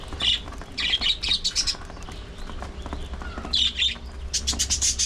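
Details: Budgerigars in a breeding colony aviary call loudly with repeated sharp, high chirps in small bursts, closing with a fast series of ticking pulses amid ongoing flock chatter.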